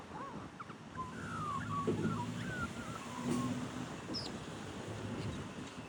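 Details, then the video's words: A magpie gives a run of mellow, fluted whistles, several sliding downward, over a steady low rumble of wind or distant traffic. "Magpie Making Different Sounds"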